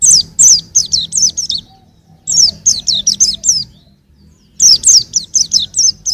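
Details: Young white-eye singing: bursts of high, thin, sharply falling chirps in quick runs of four to seven notes, separated by short pauses.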